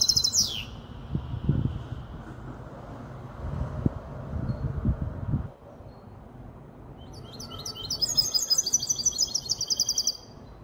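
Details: Goldfinch hybrid, aged five months, Casablanca: a brief downward slurred note opens, several seconds of low background noise follow, then a high, fast twittering trill resumes near the end.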